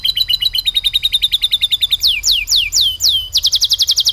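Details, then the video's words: Canary (kenari) singing in a lovebird-tutored style with a rolling delivery: fast, even ticking trill near the top of its range, then a few loud downward-sweeping whistles, then a quick stuttered trill. "kenari full materi love bird"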